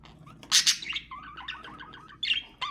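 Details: Budgerigar sound for stimulating mating: two loud harsh squawks, then a soft wavering warble of repeated short notes, ending with a brighter chirp and another burst.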